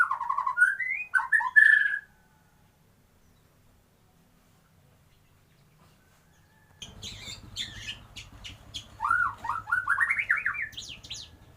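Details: White-rumped shama delivering kapas tembak-style phrases: loud varied slurred whistles and twitters, a silent stretch, then sharp clicks and a rising series of quick warbled notes over low rumbling background noise.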